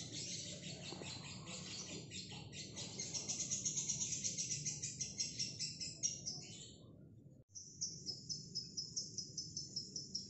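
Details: Female fighter lovebird kept singly, in a long ngekek: dense high chattering pulses swelling in volume, breaking off for about a second, then resuming as a rapid shrill trill, with low hum underneath.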